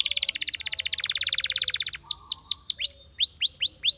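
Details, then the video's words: Spanish Timbrado canary song, offered as a training song for other canaries: a fast buzzy trill of short notes for two seconds, then bright downward-sliding whistles repeated at a steady pace. "Spectacular Spanish Timbrado Canary, This Canary Invites All Birds to Sing"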